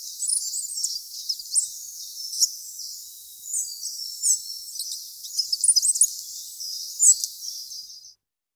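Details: Spotted flycatcher (Muscicapa striata), call.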